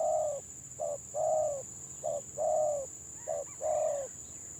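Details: Stuttering gagap-style song of a village spotted dove. Brief coos alternate with longer sustained ones, each a soft mid-pitched hoot. A continuous shrill background whine is present.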